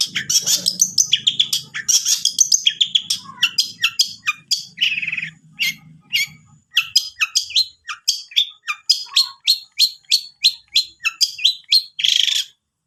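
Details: Long-tailed shrike song played as a lure to get a reluctant bird singing: a busy run of sharp high chirps, squeaky notes and short buzzy phrases, with a faint low hum in the first seconds.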